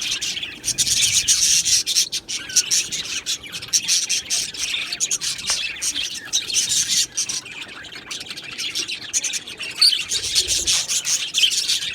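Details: Large aviary colony of Australian budgerigars giving dense, buzzy, rattling chatter that swells and dips with rapid chirps from many birds over a long stretch.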